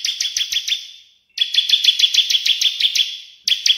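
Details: Cililin and ciblek birds in a digital tutoring recording for training songbirds, styled AK47: bursts of sharp high chirps repeated about three per second, cut by an abrupt gap of silence, then a longer run of the same notes.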